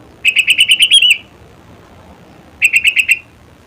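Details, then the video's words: Sooty-headed bulbul giving a rapid even string of about seven clear chirped notes, then after a pause a shorter run of five, all on a similar pitch. "SUARA ASLI KUTILANG"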